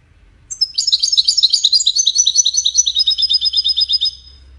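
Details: European goldfinch song in the Widani style, played to teach goldfinch chicks to sing: a rapid, bright twittering run of high chirps and trills lasting about three and a half seconds, fading into a faint low hum.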